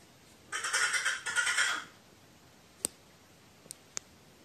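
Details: Crow talking to itself on 15 May 2018: one burst of quick rattling, pulsed harsh notes lasting about a second and a half, then silence broken by a few sharp clicks.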